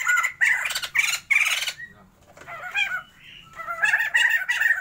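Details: Captive pair of Sumatran white-crested laughingthrushes kept for a breeding trial, calling loudly: harsh cackling bursts with rich harmonics, then a quieter stretch of softer chattering notes before the raucous laughter resumes.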